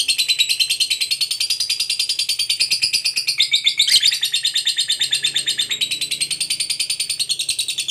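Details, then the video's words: Lovebird giving a long ngekek trill as a lure to make other lovebirds sing: a sustained, rapid, shrill chattering trill of high notes, wavering in pitch with a brief harsher burst near the middle. "SUARA BURUNG LOVEBIRD NGEKEK PANJANG TERAMPUH BUAT PANCINGAN LOVEBIRD AGAR CEPAT NGEKEK GACOR"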